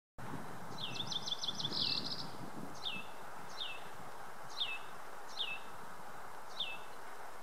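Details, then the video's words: Yellow-eyed junco (Junco phaeonotus) singing in Willow Canyon on Mt. Lemmon, Arizona: a quick, bright trill of about six notes. A Hutton's vireo's regular down-slurred note follows roughly every second, over a steady low rumble. "Yellow-eyed Junco - Junco phaeonotus"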